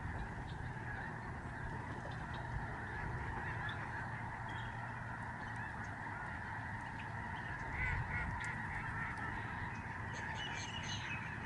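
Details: Lesser Snow Geese in a huge migrating flock overhead at George C. Reifel Migratory Bird Sanctuary, Canada, November 2011: a dense, unbroken chorus of nasal honks blending into a steady roar, with occasional louder notes rising above it.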